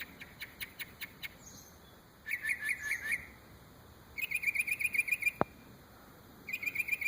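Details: Bird said to imitate many different noises: bursts of rapid, bright, evenly spaced chirps, about ten per second, separated by pauses, with a sharp single click in between, against quiet background hiss.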